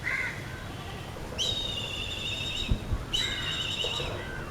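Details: A brown hawk, described as happy and having regained his confidence, gives two long, high, slightly falling screaming whistles, each over a second, after a brief lower note; low background rumble throughout.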